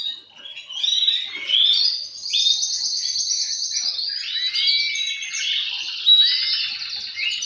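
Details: Male canaries in song, a leading singer with other males responding, meant to encourage breeding. Song starts quietly, then builds into bursts of warbling, falling whistles and fast buzzy trills.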